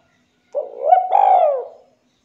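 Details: Spotted dove singing clearly and actively, recorded to coax other doves into song; one drawn-out coo that starts low, swells in the middle and glides downward at the end, in silence.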